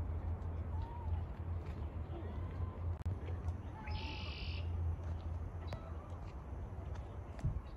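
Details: Red-winged blackbirds singing on the first day of spring: faint short whistles, then one harsh buzzy trill held for about a second, over a constant low rumble like distant traffic.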